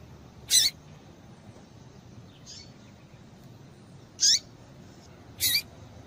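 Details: Calling female papa-capim, meant to stir males into song: sparse, sharp, high chirps with descending tails, three loud and one faint, separated by pauses of one to two seconds, over soft hiss.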